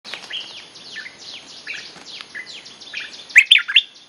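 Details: Bulbul lure song used to call wild birds: a run of quick descending whistled notes, then three loud, sharp, rising chirps near the end.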